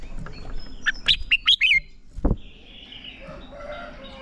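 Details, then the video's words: Red-whiskered bulbul training song for exciting young birds into competitive singing: a single quick phrase of five bright slurred notes, followed by a dull thump and soft distant twittering. "Chào Mào Hót | QUÁ CHẤT. Luyện chào mào CHÉ/ KÍCH CHÀO MÀO NHANH CHÉ. Chào Mào Ché Kích Bổi Sung Lửa"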